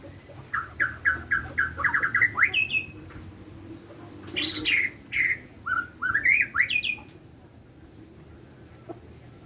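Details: Borneo white-rumped shama singing in the morning: rapid series of short rising whistled notes, then a pause and a louder burst of varied slurred, rich phrases, faint background hum.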